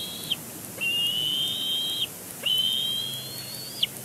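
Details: Bald eagle chick at a nest on Big Bear Lake, 27 April 2022, throwing a tantrum at its father, who has just landed. Long high whistled squeals, each held level or slowly rising and then dropping sharply at the end, three in four seconds.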